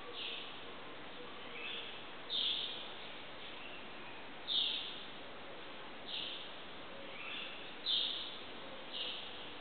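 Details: Birds singing at dawn, around 5am, in a riad courtyard in Marrakech, Morocco: short high chirped notes every two to three seconds over a steady background hum.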